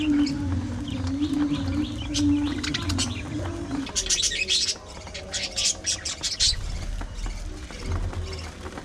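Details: Feeding budgerigars at a meal of seeds and vegetables, with scattered thin chirps at first, then a lively run of loud, high, scratchy chatter and squeaks, over low humming tones.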